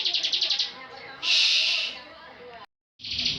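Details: Short passage of ngebren song from a competition bar-winged prinia: a fast series of pulsed notes, then a sustained harsh buzz, a brief break and another buzz, over faint background noise.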